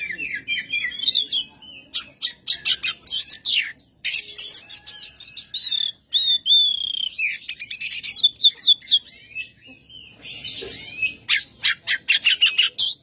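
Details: Oriental magpie-robin, a kept songbird, in loud, rough 'materi kasar' style: dense bursts of harsh buzzy notes and clicks alternating with clear whistled phrases, short pauses near six and ten seconds.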